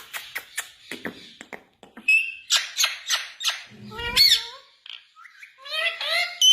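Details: Indian ringneck parakeet speaking Urdu/Hindi words: rapid scratchy chatter and clicks lead into nasal, speech-like syllables with rising and falling inflection, then a final squeaky mimicked phrase.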